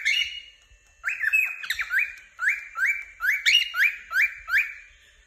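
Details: After a faint opening note, a cheerful cockatiel launches into a string of rising chirps, around eight sharp upward-swinging whistles spaced evenly under half a second apart.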